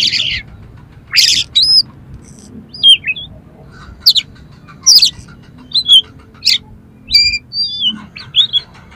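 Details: Oriental magpie-robin song of harsh fill notes meant to excite other magpie-robins: a rasping opening burst, scattered high twisting whistles and sharp scratchy notes spaced about a second apart, with a faint hum.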